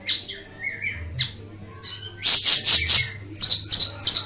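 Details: Ashy tailorbird song: soft chirps and a wavering whistle, then two loud series of rapid, evenly repeated high piercing notes, about three or four per series, over a low hum.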